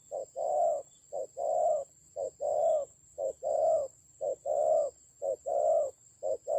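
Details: Decoy spotted dove calling in a fight, Central Highlands forest, Vietnam, 19 October 2020; a rhythmic series of low coos, short hoot then long hoot, repeated about once a second, above a faint steady high whine.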